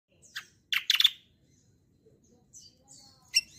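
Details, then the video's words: Kecial kombo, also called cucak kombo, whose singing is used as a lure and song model for other birds: a few short, sharp high chirps in quick clusters, then a single bright note after a pause. "BURUNG KECIAL KOMBO CUCAK KOMBO ROLL TEMBAK GACOR || UNTUK PANCINGAN BUNYI BURUNG BAHAN MANTAP"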